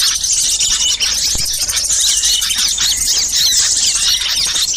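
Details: Small birds in a noisy lure recording meant to draw wild birds down: a dense, unbroken mass of high, overlapping chirps and twitters from many birds, with no pauses and a faint low hum underneath.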